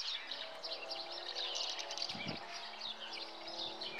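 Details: Common house martins at their nest, giving dense, overlapping high twittering chirps that run almost continuously, with a brief low thump near the middle against faint background hiss.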